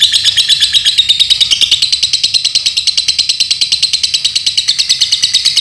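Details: Caged lovebird from Paduraksa, Pemalang, Indonesia, sustaining a loud, sharp, machine-gun-like trill of rapid identical pulses, high and grating, with little change over six seconds.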